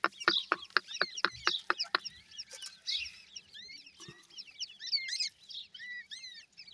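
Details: Grey francolin chicks: sharp rapid clicking taps open the recording, then a stream of high, thin peeps, each a quick downward-curving chirp, tumbling over one another from several chicks.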